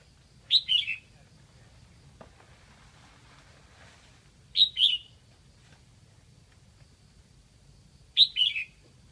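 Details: Red-whiskered bulbul kept as a decoy in Lạng Sơn, Vietnam, calling to attract wild birds. It gives three brief two-note phrases, sharp then slurred downward, spaced roughly every three and a half seconds, with a soft rustle between.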